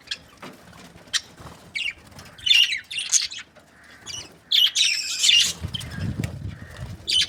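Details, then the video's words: Budgerigar chirping: scattered short high chirps and squawky bursts, with a denser cluster of scratchy notes near the middle and a low rumble toward the end. "Budgies parrot chirping sounds"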